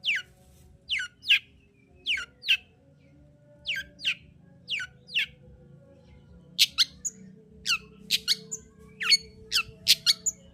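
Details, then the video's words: Long-tailed shrike singing, used as a lure recording to raise breeding arousal in a shrike that sings little: sharp downward-sweeping chirps in spaced pairs, then a quicker run of bright, higher notes with short whistles between. "Pancingan Cendet Gacor Untuk Menaikkan Birahi cendet Malas Bunyi"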